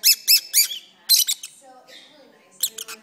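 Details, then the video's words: Pet lovebirds singing indoors during a long session: three quick high chirps with stacked overtones, a brief pause, then a dense cluster of squeaky notes, and after a quiet gap another short burst of shrill chirps. "my Lovebirds are singing"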